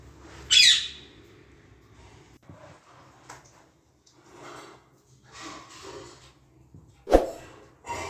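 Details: Two pet parakeets talk in Hindi in a small room: a sharp, shrill squawk opens, then soft, mumbled speech-like chatter comes in short bursts, with a sudden knock near the end.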